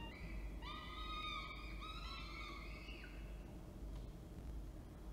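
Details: Falcons at Orange, New South Wales, on 19 October 2024 as the male delivers food and the female feeds. Two or three long, drawn, whining calls ending in a downward slide, then quiet rumble.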